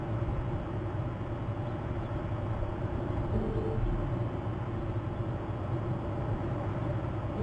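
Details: A steady, deep rumble like a passing train or traffic fills the recording, with no animal calls.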